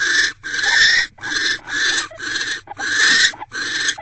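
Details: Barn owl at a nest box at 8:50 pm on 17 January 2024, as the male brings the female a rodent and they mate: seven harsh, broadband hissing bursts, each roughly half a second long, separated by brief gaps.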